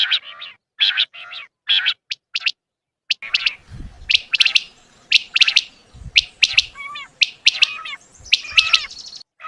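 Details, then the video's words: Quail (batair in Urdu) calling for hunting: dense, irregular run of sharp high chirps and short bursts, roughly one per second, with some rising squeaky notes and faint low thumps underneath. "Quail Hunting New video/Batair huntind in urdu/Batair vioce"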